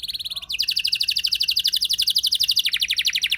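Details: Canary's 'ngeroll' lure song, used to stir other canaries into song: a short trill, a brief break, then a long, even, very fast rolling trill of high notes that drops slightly in pitch toward the close.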